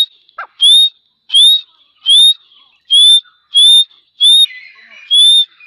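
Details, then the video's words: Grey partridge, Dakhni teetar, calling: a series of seven loud, clear whistled notes, each rising slightly and then holding steady, repeated roughly every 0.7 seconds with short silences between them. "Grey Partridge Call | Dakhni Teetar Awaaz"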